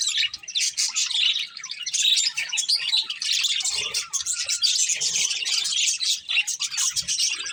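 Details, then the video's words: Continuous lively chatter from a budgerigar breeding pair: dense, rapid high chirps and scratchy twitters running almost without pause. "Cute Budgies Chirping Sounds"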